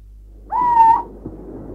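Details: Little owl, named as the most widespread owl in Bulgaria, on a 1989 school nature-studies cassette: one clear whistled note about half a second long, slightly rising at the start, then steady, with faint background hiss.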